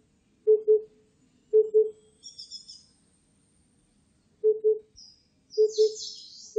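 An Oriental cuckoo gives low, hollow doubled hoots, 'hoop-hoop', in short bursts about every second or two. Faint high chirps from other birds sound in the background.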